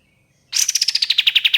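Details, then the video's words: Ashy tailorbird, played as a bird-trapping lure: a fast, bright trill of evenly spaced notes that starts high and steps gradually lower, about twelve notes a second, from a clean, quiet recording. "SUARA BURUNG KAPAS TEMBAK NYAUT GACOR DORR 100% AMPUH❗️KAPAS TEMBAK TEMBAKAN PANJANG"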